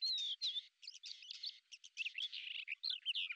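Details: Lesser grey shrike, a predator that hovers in place while hunting beetles, gives a fast, chattering run of squeaky, scratchy notes with a few clearer whistled slurs, varied and nearly unbroken for over three seconds; Azerbaijan.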